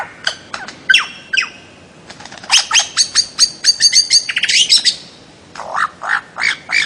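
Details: Bird-of-paradise calls: short rasping bursts, then a fast rhythmic series of sharp, clicking, stuttered notes roughly five per second, ending with a few hoarse downslurred calls.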